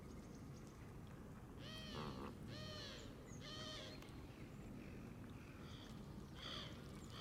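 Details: Canada geese in a flock feeding on green grass at the water's edge, camera in their midst: three loud harmonic honks in a row around two to three seconds, then quieter calls, over steady low background rumble.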